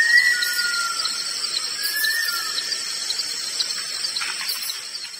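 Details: Bush stone-curlew calling: drawn-out, slightly descending whistled wails, one long note early and another near the middle, heard over a dense, steady chorus of insects.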